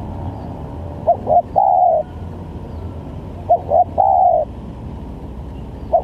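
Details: Spotted dove cooing played as a trapping lure. Two complete phrases of two short notes and a long held coo about two and a half seconds apart, and a third beginning at the end, over faint background hum.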